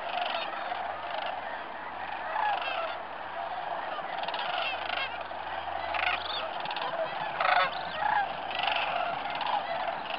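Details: Sandhill Cranes, chiefly the Greater form with some Lessers, calling together at a central New Mexico waterfowl area on December 12, 2009; many overlapping rattling, bugling calls form a steady chorus, with louder bursts near the end.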